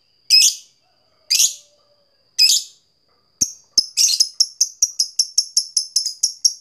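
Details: Caged fighter lovebird calling a rival, used to provoke another lovebird into its long trilling song. Three harsh, buzzy chirps spaced about a second apart, then a fast run of sharp clicking ticks repeated roughly four times per second.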